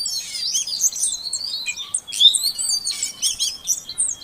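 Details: Oriental magpie-robin female calling to get a non-singing male going; a continuous flow of high warbled whistles and squeaks, moderately loud, with faint background hiss throughout.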